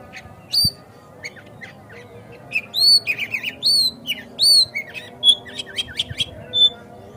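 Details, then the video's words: White-rumped shama song aimed at provoking a kacer to sing and open its tail: loud rich whistles with overtones, mixed with harsh squawky notes and quick downslurred chips. "Pancingan Kacer Agar Cepat Gacor Ngotot Buka Ekor"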